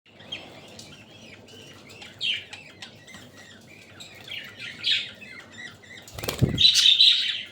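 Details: Budgerigars eating water spinach at Katlapur, Savar, Dhaka, Bangladesh, give scattered short chirps and warbles, with a brief wing flutter and a sharp knock near the end.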